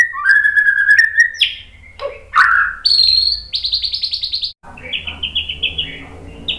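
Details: White-rumped shama 'tembakan' song to get other shamas answering: a rising whistled note, loud slurred calls, a rapid trill of high notes, then a softer series of repeated chirps.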